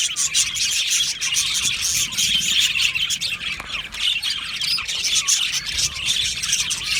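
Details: Budgerigars in an aviary colony, a dense, unbroken mass of chirps, squawks and warbled notes from many birds at once, high-pitched and scratchy, with no pauses.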